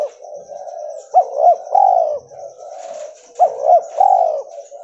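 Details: Spotted dove of a pure white albino mutation giving its call: soft purring lead-in, two short upswept coos, then a longer falling coo, heard twice in close succession against a faint steady high hiss.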